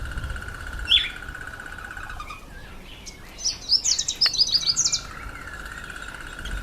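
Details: Red bishop in breeding season, when males turn black and red and nest in reeds or bulrushes over water: a quick run of sharp, high chipping notes in the second half over a steady mid-pitched hum, with faint scattered chirps earlier.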